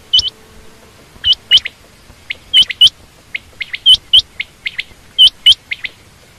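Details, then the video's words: Calls of a female quail, common or rain quail: clipped, high, rising notes in close pairs, with a few softer single notes between, steady and clear. "common quail/Rain quail sound)chinga batair ki Awaz)Звук самки перепела"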